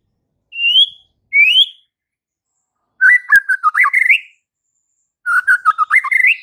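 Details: Strongly singing white-rumped shama, used to provoke fighter males: two sweet upslurred whistles, then two fast chattering phrases of warbled notes climbing in pitch, with a faint click.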